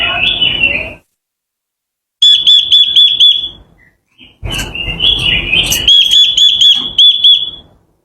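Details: Japanese white-eye lure song used for provoking and training birds: a busy high twittering trill, then a gap and runs of clear, bright whistled notes repeated about four times a second, with abrupt silent breaks between phrases.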